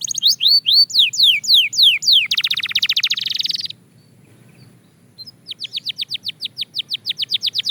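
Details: Belgian canary song from a daily training routine: curving whistles, then a dense buzzy trill, a short silence, and a fresh series of quick repeated notes.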